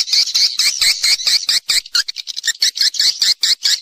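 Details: Swiftlet roosting lure call used to attract the birds, a natural recording: buzzy chirps repeated about twice a second in a steady series, each with a bright high band and a lower dipping trace.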